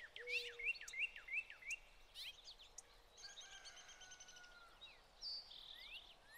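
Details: Spring 2020 feeder scene: American goldfinches in summer plumage with pine siskins eating sunflower hearts. A run of five quick rising notes, then scattered chirps, a buzzy trill and sharp high slurred calls.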